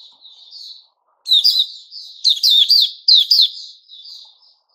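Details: A Puteh Raja white-rumped shama, recorded 29 August 2021, starts with a soft thin warble, then after a brief silence gives loud, fast, chirping whistles in two or three energetic bursts before trailing off quietly.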